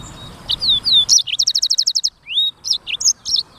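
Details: Black-throated canary delivering clear, lively 'gacor' song for training use: high whistled slurs, a quick even run of repeated bright notes, then a rising whistle and more jumbled chirps.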